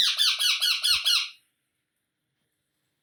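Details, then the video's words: Baby parrot giving a fast run of about six harsh, rasping squawks, each a short scratchy burst, packed into just over a second before falling silent. "Baby Parrot Sounds"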